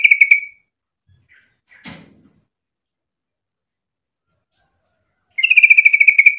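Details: Eager sooty-headed bulbul sung as bait for other bulbuls: a bubbly burst fading out at the start, a sharp knock and faint ticks in the quiet middle, then a long fast run of ringing, pulsed notes.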